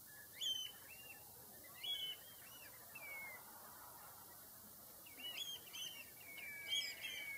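Common redshank giving short, clear piping notes in bursts every second or two, some run into quick series, over a steady high whine and low rumbling background noise.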